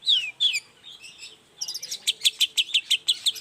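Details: Long-tailed shrike in lively morning song, aimed at getting quiet shrikes to answer: opening downslurred whistles, a soft pause, then a brisk, steady string of sharp high chirps, roughly three per second.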